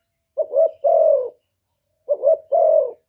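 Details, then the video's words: Spotted dove cooing and calling in the 'thổ thúc' voice style, used to provoke wild doves. Two low mellow phrases, each a short rising coo and then a longer drawn-out falling coo, about two seconds apart, on a quiet background. "cu gáy giọng thổ thúc gù + gáy gọi giọng rất chuẩn để kích bổi"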